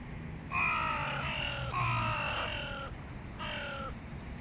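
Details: Adult hooded crows frightened by a dominant crow give three harsh, drawn-out caws with rich harmonics, the first two long and nearly merged, a shorter one following after a brief pause, over a low outdoor rumble.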